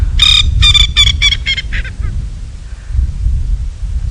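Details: A male Coqui Francolin calls at sunset in Sabi Sand, South Africa, in late September, advertising territory: a quick series of about six harsh, nasal notes that fade and drop in pitch, over wind rumble; others reply faintly nearby.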